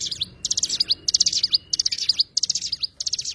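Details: An Oriental white-eye (cigun) sings clipped, high twittering phrases that finish in sharp slurred whistles, about six phrases in quick succession.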